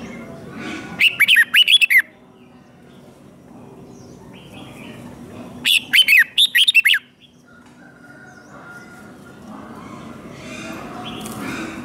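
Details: Red-whiskered bulbul, a captive bird, singing a fighting song used to train other birds' voices: two bursts of about a second each, made of rapid whistled, warbling notes, separated by quiet stretches with low background hum.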